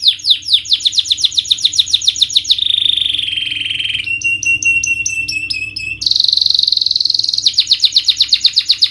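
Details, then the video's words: Canary lure song for birds that will not sing: rapid repeated trills, then sustained steady whistled tones with a pulsing upper pattern, a high flat note, and a return to fast trilling. "Pancingan Kenari Naikin Emosi dan atasi Burung males bunyi"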